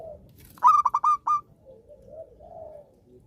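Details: Single zebra dove song phrase from a keen singer: a run of four or five short, clipped coo notes followed by a held final note, then a quiet low background murmur.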